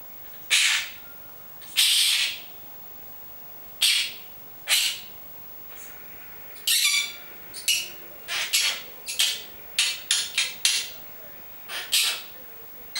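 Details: Pet monk parakeet talking in Italian, saying its own name and words like "amore", "bacio", "vieni qua": a dozen harsh, scratchy, word-like bursts, clipped and irregular, one or two a second later on, in a quiet room.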